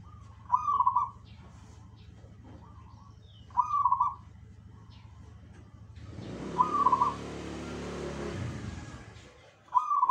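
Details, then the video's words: Zebra dove song with other birds responding: quick stuttering coo phrases about every three seconds, softer replies between, and a loud rushing noise swelling for several seconds in the latter half before the cooing resumes. "KICAU BURUNG PERKUTUT"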